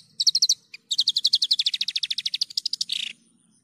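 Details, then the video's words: Clear recording of a vigorously singing Javan bush lark made to lure other birds, with a fast, steady trill of bright repeated notes that ends in a short buzzy, harsher burst. "PANCINGAN/MASTERAN JERNIH BRANJANGAN GACOR"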